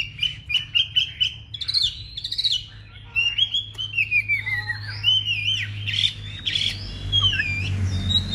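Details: Chinese hwamei, a large kept cage bird in fighting spread display, praised for strong singing: quick repeated clear notes, then sweeping whistled slides and rapid descending trills, loud and varied, with low background rumble.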